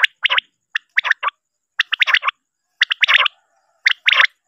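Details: Male common quail giving a rapid series of crisp note clusters, mostly triplets, sounding roughly once every second without pause, loud and clear against silence.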